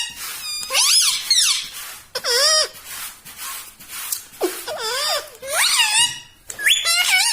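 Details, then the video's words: Pet parrot, said to say "mitthu mitthu" and "mummy", produces long wailing, warbling harmonic phrases that sweep down and up, filling most of the recording indoors. "TALKING PARROT - MITTHU MITTHU - MUMMY BOLNE WALA TOTA"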